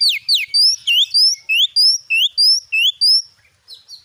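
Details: Oriental magpie-robin (kacer) singing in the loud, persistent gacor nembak style used as a lure to provoke other magpie-robins. About ten clear, rising whistled notes repeat quickly and evenly, each sweeping upward, before a short pause and a faint final note.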